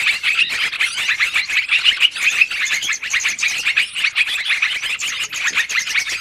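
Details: Lure sound of yellow-vented bulbuls used to attract and trap birds, a long noisy recording: busy, continuous chattering of many overlapping high chirps and twitters with no pause.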